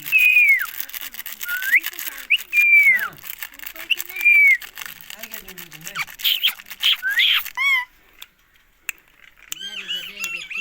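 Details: Indian ringneck parrot repeating long, pure whistles that hold level and then fall, interrupted by short upward flicks. Harsher, noisy squawks come around the sixth to eighth seconds, and softer wavering whistles close the sequence.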